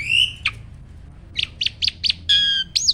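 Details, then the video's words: Black-winged starling singing as a tutor recording for quiet starlings: a clear rising whistle, a harsh note, then a string of short squeaky chirps, a level whistled note and a final upswept squeal over faint background hum. "SOLUSI UNTUK BURUNG JALAK MALAS BUNYI!!"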